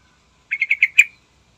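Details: Morning song of a yellow-vented bulbul, used to draw other birds into singing: a quick run of five bright, bubbling notes on a steady pitch, the last one loudest, in otherwise clean silence.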